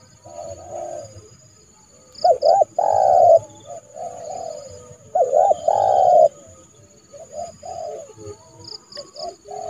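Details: A trained spotted dove calls to lure a rival into the yard for trapping. Quiet cooing rises into two loud phrases of quick doubled notes, each followed by a long coo, with faint high chirps behind.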